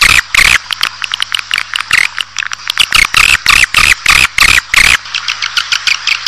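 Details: Swiftlet lure calls for bringing a colony into a building: fast rasping chirp bursts, many carrying a wavering whistled tone, repeated nearly three times a second with a faint hum beneath.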